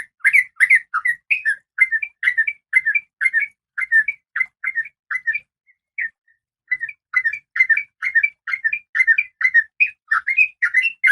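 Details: Captive female oriental magpie-robin in breeding condition calling the male. A long, steady series of bright whistled notes, roughly two a second, with a short pause midway.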